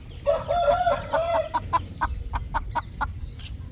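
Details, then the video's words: Three roosters relaxing in the evening sunset on a poultry farm; a drawn, wavering, nasal call opens, then gives way to a series of short, evenly spaced clucks. "roosters relaxing time/3 roosters relaxing 😌 in evening sunset"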